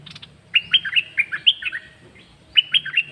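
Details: Caged songbird delivering quick sequences of sharp whistled notes that swoop down in pitch, two phrases a couple of seconds apart over a faint low hum.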